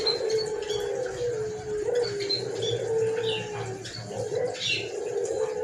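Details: Hoarse-voiced white collared dove coos over and over, low sustained notes gently sliding downward, joined by scattered bright chirps of other birds.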